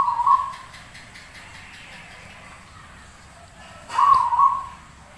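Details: Zebra dove in lively master song for training; two short low, bubbling cooing phrases, one at the start and one about four seconds later, with a quiet murmur of background hum between.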